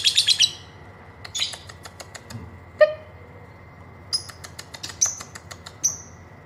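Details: Lovebird chattering, used as a prompt to get other birds singing: short bursts of sharp high chirps and clicks separated by pauses, with a few lower squeaky notes in between.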